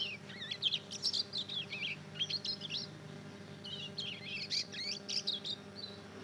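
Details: Learning ngeriwik twitter from a two-month-old hybrid of Mozambique canary and canary: bursts of rapid, high chattering notes, broken by short gaps, over a quiet room hum.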